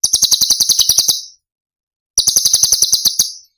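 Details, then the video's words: Cucak cungkok song in the 'tembakan' style from Cililin, used as masteran for training songbirds. Two quick, sharp, high-pitched rattling bursts of about ten pulses each, with a pause of under a second between them. "Cucak Cungkok Istimewa ~ Tembakan Istimewa Cililin"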